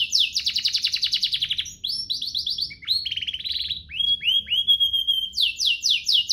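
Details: Canary song for training juvenile canaries to sing: a fast buzzy trill, then runs of quick descending whistled notes, a short rattle, and clear level whistles, all high and rapidly repeated.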